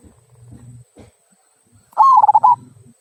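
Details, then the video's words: Zebra dove, a local bird, giving one "kung" song phrase meant to coax other birds into singing: a quick trilled coo, warbling and slightly falling, after soft low thumps and murmurs in the background. "Perkutut Lokal Suara Kung, Cocok Untuk Pancingan"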